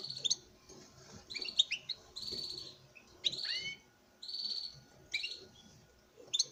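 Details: European goldfinch male displaying to a female in a breeding setting: lively twittering song with buzzy sustained notes and descending slurred phrases, delivered in steady bursts over light background noise.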